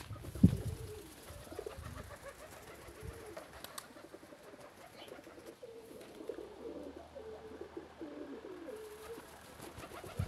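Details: Homing pigeons let out and happy coo in a long run of low, wavering hummed notes, one phrase after another with little pause, against a quiet rustling background.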